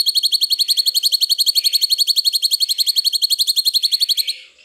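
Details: Cucak cungkok song for bird training, one unbroken four-second trill of fast, regular, high-pitched ringing notes that fades away at the end.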